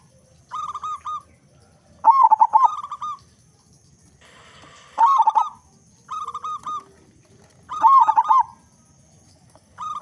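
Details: Local zebra dove with a big, strong voice, used to lure other doves into singing: evenly spaced cooing phrases alternating stuttered rolling notes with steady held coos, about six phrases over ten seconds, with a faint hiss once.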